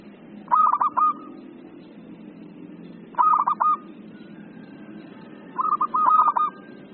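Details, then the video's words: Frequently singing zebra dove: three phrases of quick, choppy cooing notes with a rolling finish, spaced about two and a half seconds apart, the last phrase longer, over a low steady hum. "PERKUTUT LOKAL GACOR,PERKUTUT LAIN AUTO NYAUT"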